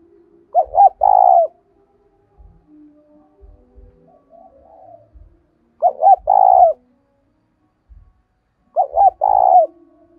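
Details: Spotted dove; decoy call; provoking wild doves to call back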